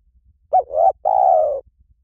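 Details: Spotted dove lure call for attracting doves in any forest: a short soft coo, then a longer, steady, low cooing note, with no other sounds.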